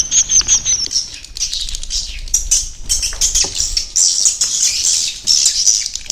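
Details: Swiftlet roosting-lure recording ('inap' sound) meant to attract swiftlets to roost: a thick, hissing mass of high chirps and twitters from many birds, rising and falling in loudness.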